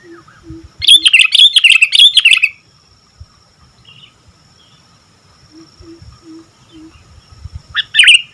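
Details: Sooty-headed bulbul in full voice: a fast, rolling run of bright warbled notes lasting nearly two seconds, then near silence with soft low hums, and a final sharp chirped phrase.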